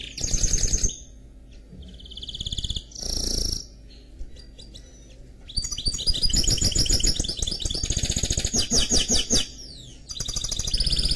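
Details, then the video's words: Hybrid canary x goldfinch, a mule, in song: short twittering bursts with pauses, then a long continuous stretch of rolling trills and sharp repeated notes, low background hum. "Chant Mulet Canari X Chardonneret"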